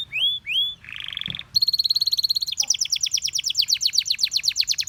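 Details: Singing Gloster canary stirring other canaries to sing. It opens with two rising whistles and a brief buzzy note, then a steady high tone, then a long fast rattle of crisp repeated notes.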